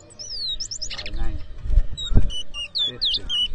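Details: Towa towa birds in a whistling competition at New Amsterdam, Berbice, Guyana, 2023; rapid high whistled notes, some rising and falling, delivered in quick bursts, with men talking and handling noises underneath.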